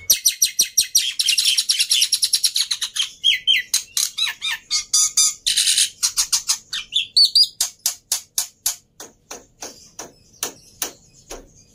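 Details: Black-winged myna in full, lively song, used to coax mynas that have stopped singing: a fast run of sharp clicking notes, then high whistled phrases, ending in slower, spaced dry clicks.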